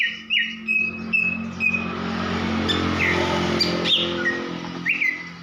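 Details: Female greater green leafbird calling actively, used to arouse males' breeding drive and prompt them to sing: short whistled notes sliding down, spaced irregularly, over a steady low hum of passing traffic.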